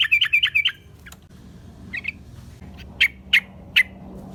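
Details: Sooty-headed bulbul calling, used to attract wild bulbuls: an opening burst of five quick rolling notes, then scattered single sharp chips spaced unevenly through the rest.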